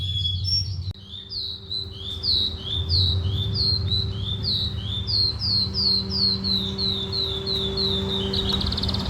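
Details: Oriental skylark repeating short upward-sweeping whistled notes in an even series, about two per second, ending in a brief buzzy trill, with a steady low hum behind.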